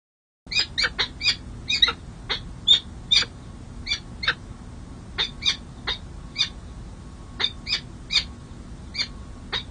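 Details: A long series of harsh, scratchy notes, about two per second, steady and insistent, from peregrine falcons at a San Jose City Hall nest in California on 2 May 2024, during the second hatch and the first feeding of two chicks.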